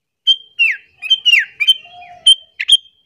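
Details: Sooty-headed bulbul calling to lure and anger other bulbuls: a varied run of whistled notes, several sliding downward, with a brief lower steady tone and closing sharp chirps.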